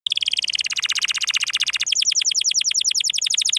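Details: Canary singing in the Indonesian 'gesekan' style: a fast, even trill of high buzzy notes that abruptly shifts partway through into a quicker rolling series of sharply downslurred notes, all clean with no background sound.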